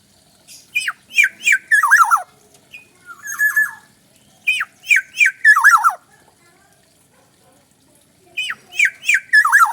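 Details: Black-naped oriole giving a call its keepers call pareasi: bursts of three to five loud, harsh, nasal squawks sliding downward, each burst about a second long, repeated three times with quiet pauses between them.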